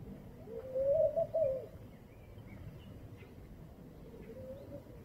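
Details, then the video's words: Laughing dove calling in the morning: a single soft, bubbling phrase of low, quickly rising and falling coos lasting about a second, followed by quieter faint coos, with a few distant chirps from other birds. "צוצלת הומיה בבוקר فاختة النخيل"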